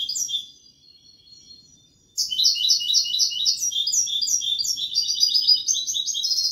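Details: European goldfinch song in a Malaga-style 'copla': after a quiet start, a fast run of high, tinkling, twittering notes repeated about four times a second, with buzzy and liquid trills, with no other sounds.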